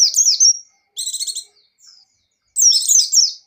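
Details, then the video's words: Spirited 'gacor' singing by a buxtoni white-eye: a drawn-out high slurred whistle, a dry buzzy trill of several pulses, a soft thin note, then a dense burst of tumbling high notes. "Suara Burung Pleci Gacor + Pleci Ngecir"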